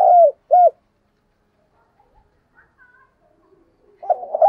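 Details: Decoy spotted dove meant to excite wild doves. Two short, husky falling coos open the recording, then near silence with a faint distant chirp, and a new burst of coo notes begins at the end.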